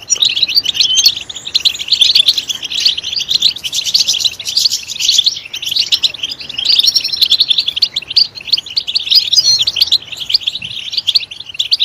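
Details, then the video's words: European goldfinch song, loud and continuous: fast liquid twittering of high chirps and trills with a few buzzy notes, swelling and fading in waves for about twelve seconds, with no other clear sounds. "Stimulating a goldfinch clip to make it chirp in a loud and wonderful voice"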